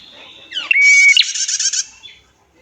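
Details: A female prinia gives a thin, high whistle held for about half a second, then a fast, buzzy, high-pitched rattling trill lasting just over half a second.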